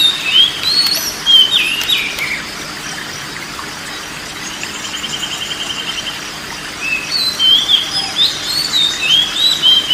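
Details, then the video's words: Therapy song of the oriental magpie-robin for a stressed or silent bird: quick, slurred high whistles open the passage, a long quieter middle follows with faint notes, then another run of varied whistles returns, all over a steady hiss. "TERAPI BURUNG KACER SETRES DAN MALES BUNYI"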